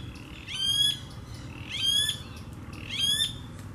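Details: Blackish rail recorded at Araçatuba, São Paulo, Brazil: three loud, harsh rising squeals with buzzy overtones, repeated about every 1.2 seconds, against faint background noise.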